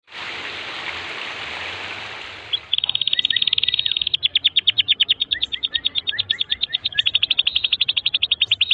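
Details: Canary singing a long continuous tutor song for young birds: after about 2.5 seconds of a broad rushing hiss, a rapid steady trill of high sharp notes repeats about three times per second.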